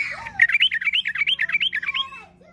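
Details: Energetic yellow-vented bulbul song meant to provoke other bulbuls into singing: a rapid chain of about a dozen bright, bubbly whistled notes, evenly spaced, ending with a lower slurred note.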